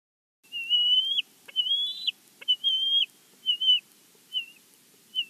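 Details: Bald eagle at its nest at Big Bear, picked up by a live nest camera: a series of high, thin whistled notes, each held briefly and ending with a slight drop, given in separated bursts. No other animals audible.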